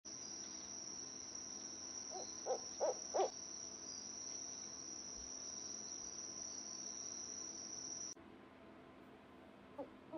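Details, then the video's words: An owl gives four short, mid-pitched hooting notes in quick succession, then two more near the end, over a steady high insect trill that stops partway. "owl sounds | how owls communicate | owl cry"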